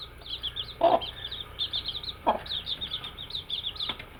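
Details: Cute baby chicks during daily activity, producing rapid, clear, high-pitched peeps that dip in pitch, almost continuous, with two louder muffled bumps in between.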